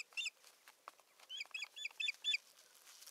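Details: Osprey at a nest in northern Satakunta, Finland, on 7 May 2019, as the male brings a twig and bustles about. It gives a quick run of high whistled chirps, about four a second, with soft knocks and rustles between.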